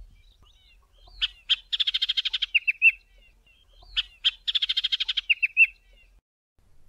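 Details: Chestnut-vented Warbler in the southern Karoo, South Africa, sings a bright, high song twice: a few sharp notes, a fast rattling trill, then clear slurred whistles at the end. The background is quiet.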